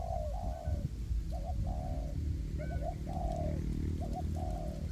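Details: Spotted dove acting as a trapping decoy in woodland, steady series of paired short hoots each followed by a longer falling coo, a faint thin whistle overhead, strong low rumble.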